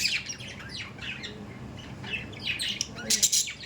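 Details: Chattering budgerigars kept as pets, a steady mix of twittering chirps and rasping notes that builds into louder squawky bursts near the end.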